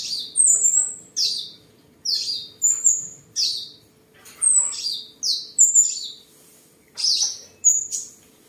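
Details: Tame seven-coloured sunbird kept at home in Tân Phú, Đồng Nai, Vietnam, 23 July 2022, singing, displaying and sparring: sharp high chirps, each sweeping down then ending in a thin level whistle, in about ten bursts with short gaps.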